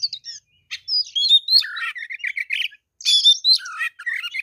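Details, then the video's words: A fighting oriental magpie-robin in vigorous song gives fluid whistled phrases mixed with scratchy chatter and lower warbling notes, in two long runs separated by short pauses. "kacer deker gacor ngobra fighter"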